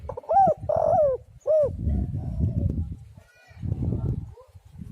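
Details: Spotted dove (tekukur) calling, used as a lure to draw doves in and set them singing: three short arched coos in quick succession over the first two seconds, followed by a low rumbling background with faint murmurs.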